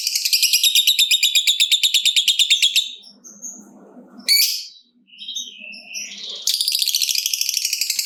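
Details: Fighter lovebird's long 'ngekek' trill, used to lure other lovebirds to sing. A rapid, regular, high chattering trill runs for three seconds. Short squeaks and a sharp chirp follow a pause, then the trill returns.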